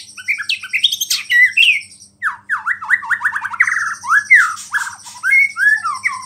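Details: A white-rumped shama in full song, mixing in small-bird imitations and said to rile other shamas: varied quick whistled notes, then a run of rapid downslurred whistles, ending in more scattered whistled phrases with short gaps.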